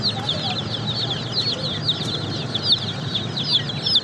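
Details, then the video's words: Baby chicks chirping as a dense, constant chorus of high, short peeps, many birds overlapping with slight downward slurs, over a steady low hum. "Baby Chicks Chirping sound"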